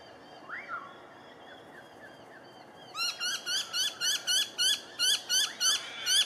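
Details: Tawny frogmouth family with two fledglings at night in Melbourne, Victoria, Australia, October 2020; a faint rising note, then from about three seconds a fast run of loud, sharp, repeated chevron-shaped calls, roughly three per second.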